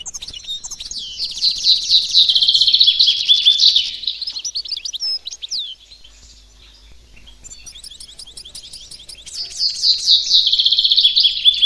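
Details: Goldfinch mule in full song: a burst of rapid, high, ringing trills and twitters, a near-silent pause of several seconds, then the bright trilling resumes and builds again.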